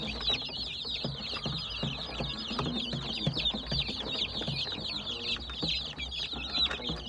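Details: Baby chicks chirping as a dense flock, high peeping notes overlapping continuously with constant downward-curving cheeps, plus soft low thumps and rustling underneath.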